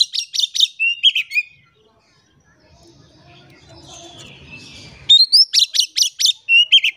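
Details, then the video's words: Oriental magpie-robin (kacer) in full gacor song, used as a lure to get quiet magpie-robins singing: bursts of rapid, sharp, rising whistled notes at the start and again at the end, with a soft, murmuring lull between. "PANCINGAN KACER GACOR"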